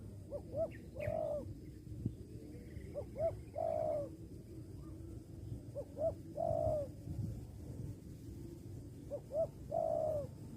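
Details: Repeated cooing from a spotted dove tied to a bird-trapping hobby. Four phrases arrive roughly every three seconds, each a pair of short rising hoots then a sustained lower coo, against constant low-pitched background noise.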